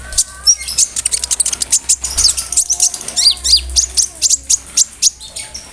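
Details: Lively konin singing a dense mixed song of imitated cricket and other birds as tutor material for murai, canaries and green leafbirds: a fast stream of sharp, very high chirps and twitters with little pause.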